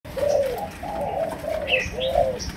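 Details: Malaysian spotted dove giving chiêu gù style coos, known as sấm đồng: four low, slurred hooting phrases in quick sequence, the last rising then falling, with faint higher chirps from other birds overhead.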